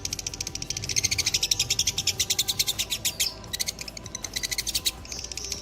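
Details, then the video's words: Lovebird, fighter type of the dobel minor strain, in long ngekek: a steady, fast, shrill, rattling trill of high pulses with a brief gap near the middle, then resuming. "love birds faikter dobelan minor top ngekek durasi panjang gacor"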